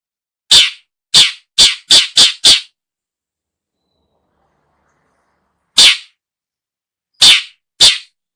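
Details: Long-tailed shrike in a recording for luring birds: a rapid burst of six harsh, scratchy rasps, a silence of about three seconds, then three more rasps.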